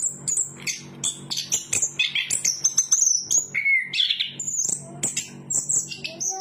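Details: Chestnut-capped thrush delivering high thin whistles and warbled phrases, a clear drawn-out descending note midway, then more scattered bright whistles, low hum in the background.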